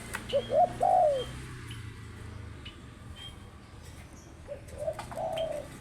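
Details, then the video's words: Spotted dove giving a short burst of mellow coos, then a pause of about three seconds, then another phrase ending in a long, slightly falling coo. "Burung Tekukur Paling Cantik"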